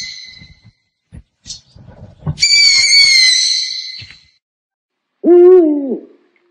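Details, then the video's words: Owl calling: a long, high, shrill screech lasting nearly two seconds, then after a pause a short, low, wavering hoot that bends downward at its end; faint low knocks are heard early on. "เสียงนกฮูก นกฮูกร้อง นกเค้า นกเค้าแมว"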